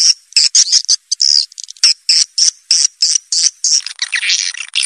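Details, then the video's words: Swiftlets' calling sound, used at set amplifier volume to draw swiftlets in: rapid high chirps in an even, pulsing series of about three a second, ending in a denser, rasping twitter. "SUARA PANGGIL WALET ANTI GALAU"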